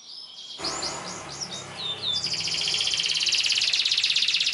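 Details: Canary song played for training young canaries: quick chirps and swooping notes followed by a long, dense, rapid high trill, over a faint low background hum.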